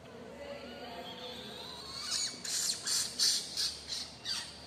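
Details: Pet cockatiels at home, said to be very happy, start after a quiet couple of seconds into harsh, high, raspy squawks repeated about every half second, six or seven bursts in quick succession.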